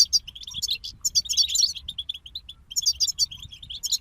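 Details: Goldfinches from a group kept as songbirds sing fast, tinkling twitters high in pitch, with liquid chirps and buzzy notes in dense bursts broken by a brief pause midway. A faint low hum runs underneath.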